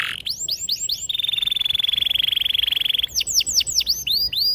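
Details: Canary with a long, sharp rolling song for training young canaries: swooping curved whistles open into a sustained rapid trill of two seconds, followed by more quick downward-swooping notes.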